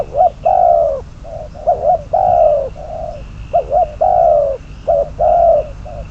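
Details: Spotted dove kept as a trapping decoy, cooing rapidly and insistently: wavering double notes alternate with long falling coos and shorter flat hoots, phrases tumbling one after another with a faint high whine behind.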